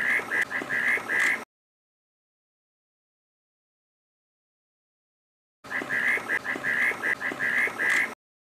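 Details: Reed parrotbill uttering quick strings of harsh, buzzy chattering notes, two bursts separated by a long silent gap, each burst about one and a half to two and a half seconds long.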